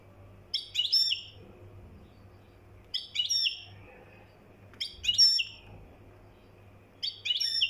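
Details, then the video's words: Goldfinch from Morocco delivering mkhanter-style song in four evenly spaced bursts of sharp, sweet, chattering notes, each about half a second, with a quiet hum between. "طائر الحسون المراكشي حسن المخنطر"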